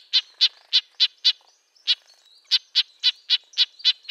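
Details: Red-breasted nuthatch in coniferous-forest range calling with distinct nasal toots, high-pitched and trumpet-like, about three to four per second, with a short gap after the first five notes.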